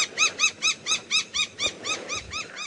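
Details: An agitated black-winged lapwing in Sabi Sand, Kruger area, South Africa, on a late-afternoon safari drive on 21 November, gives a rapid series of about eleven shrill, ringing notes, roughly four per second, over a quiet outdoor background.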